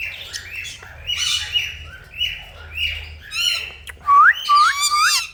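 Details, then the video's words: Indian ringneck parakeet kept as a pet, giving hoarse chattering notes and raspy bursts, followed by three sharp rising whistled calls near the end. "Parrots Beauty Funny Sound"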